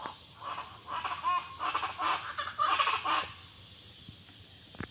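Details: Pava guacharaca (chachalaca) chorus: rough, rhythmic cackling bursts for about three seconds, then stops, leaving only a thin high insect drone and a few faint clicks.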